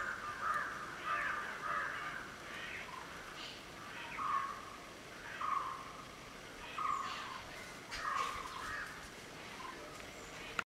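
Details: A black-headed oriole delivers a series of clipped, mid-pitched notes at a regular pace of about one every 1.2 seconds, overlapping rougher chatter early on and with soft background noise throughout.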